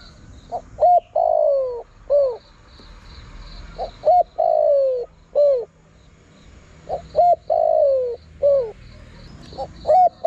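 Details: Luring call of a spotted dove aimed at wild birds: four low cooing phrases at regular intervals, each two quick notes, a long smoothly falling croo and a short downward coo, over a faint high continuous buzz.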